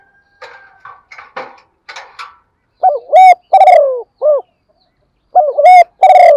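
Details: Female spotted dove calling to stimulate males, used for training male doves; after scattered faint chirps and clicks, loud hollow cooing phrases of short and drawn-out notes arrive in two bursts, slightly distorted.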